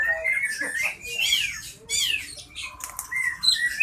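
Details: Medan-type white-rumped shama, recorded as therapy audio for shamas that are singing or off form: short bursts of harsh, scratchy notes and quick sweeping whistles, split by brief gaps, with one longer steady whistle near the end.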